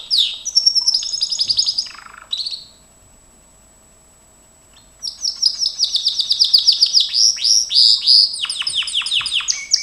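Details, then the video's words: Gloster canary singing as a training recording: bright rapid trills and rolling buzzy phrases high in pitch, a short pause in the middle, then a long run of fast repeated downward-sweeping notes. "Kenari gloster,GLOSTER CANARY SINGING"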